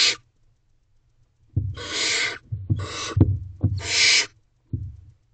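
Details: Barn owls in a nest box at 10:51 pm, 5/2/23, as an adult delivers food to the owlets: loud rasping hisses mixed with thumps and scuffling.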